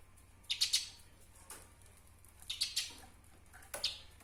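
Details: Eurasian tree sparrow, recorded for training songbirds, giving sparse sharp chirps in small clusters of two or three notes, spaced about a second apart over quiet background hum.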